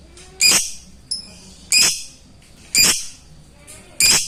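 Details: Lovebird rival call in the ngetik style, played to rouse lovebirds that seldom sing: loud, grating high-pitched squawks about once a second, with a softer short chirp between the first two.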